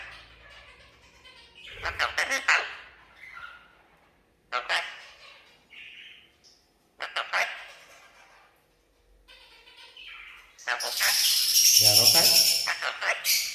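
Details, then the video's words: Talking red-breasted parakeet kept as a pet, trained to greet guests; several harsh chattering bursts separated by silences, ending in a long loud screech. "Vẹt Ngực Hồng biết nói"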